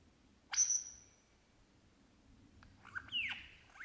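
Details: An Australian lyrebird sings in the bush, copying birds like crow, kookaburra and magpies: a brief piercing whistle stretched out and fading, a quiet gap, then a click and a tumbling series of swooping whistles.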